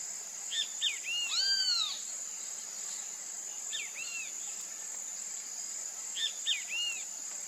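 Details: Great kiskadee (Pitangus sulphuratus), whose Brazilian name bem-te-vi imitates its voice, giving three-part phrases: two short sharp notes, then a longer downslurred note. The phrases repeat three times, with one louder arched note early on, over a steady high insect drone.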